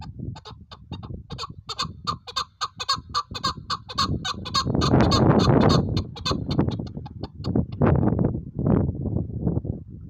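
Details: Chukar partridge calling in a fast run of harsh, clucking notes for the first half, then broad rustling and thumping noise masking the final faint calls.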